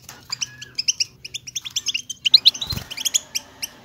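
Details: European goldfinch song in the bitbita style, meant to get silent goldfinches singing. Rhythmic, high, chirping twitters build toward squeakier notes near 2.4 seconds, with a soft thud close to 2.8 seconds.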